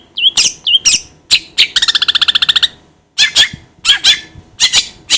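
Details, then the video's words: Long-tailed shrike: a pair of twisting whistled notes, several harsh calls, a quick buzzy rattle, then more loud rasping squawks after a short silence. "DENGAR SUARA INI CENDET JADI ON"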